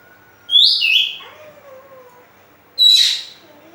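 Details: Oriental magpie-robin song used as a lure to stimulate other birds to sing: two loud, bright phrases of high whistled and slurred notes, the first with descending slides, separated by a pause with faint lower whistles in the background.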